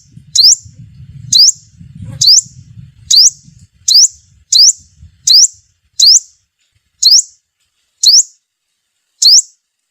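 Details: Sunbird lure call used to attract wild birds for trapping: sharp, high upswept notes, about ten, each rising quickly and repeated roughly once a second over a low rumbling background that fades halfway.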